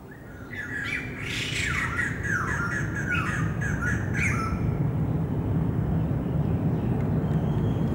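White-crested laughingthrush giving a few seconds of harsh, cackling squawks that tumble and overlap, then falls silent, with steady low rumbling noise throughout.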